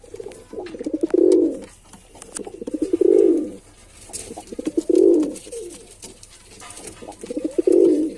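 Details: Steady repeated cooing by a male pigeon indoors: four deep rolling phrases, each started by rapid pulses, recurring about every two seconds.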